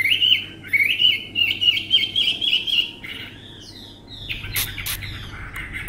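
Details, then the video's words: Caged tame Chinese hwamei delivering a fast run of ringing, looping whistled notes, then softer varied phrases ending in a few sharp clicking or snapping sounds. "họa mi ccdv1121 thuần đẹp giọng hay quá"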